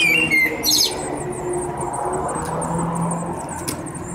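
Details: Eurasian blue tit nestlings, 7-9 days old, begging while being fed: a steady stream of very high, thin chirps repeated rapidly throughout, opening with a few louder squeaky notes and a burst of rustling.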